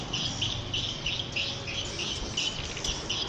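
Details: Farmed edible-nest swiftlets calling: sharp, high chirps repeated about three times a second in a dense chorus, with a low background hum.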